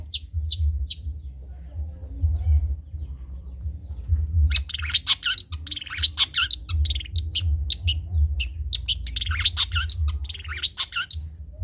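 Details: Long-tailed shrike singing in the rapid trotol style, recorded as tutor song for other birds to copy: sharp high chips, then a run of evenly spaced thin whistled notes, then a dense rush of buzzy, varied phrases over a low steady hum.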